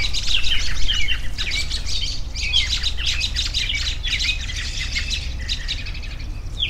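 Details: Birds twitter and squawk in quick bursts of high, scratchy chirps, louder at the start and then easing off, against a continuous deep background rumble.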